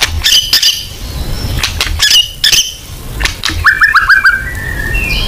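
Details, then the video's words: White-rumped shama song in the full 'nembak' style, used as lure material: a few sharp clicks and short notes, then a quick rising trill of repeated whistled notes near the end. "Pancingan AMPUH BONGKAR MATERI MURAI BATU FULL NEMBAK"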